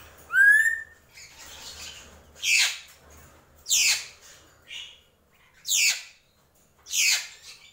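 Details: Drongo calling: one clear rising whistle, then a series of harsh, hissing, descending rasps repeated about once a second.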